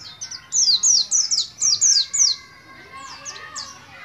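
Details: Juvenile Oriental white-eye kept in Moga, Pemalang, Central Java, learning ngalas ngeroll: a quick series of about seven loud, high downslurred notes, then softer scattered chirps.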